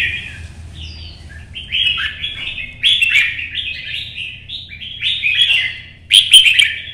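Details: Red-whiskered bulbul in early sun, hopping across perches and singing a contest song meant to provoke other birds: a long chain of fluty, slurred notes punctuated by crisp clicks, swelling louder toward the end over faint hum.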